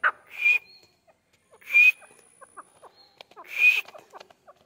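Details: Grey francolin in training, with three loud, hissing bursts topped by a thin whistle, each followed by a scatter of soft, short chirping notes.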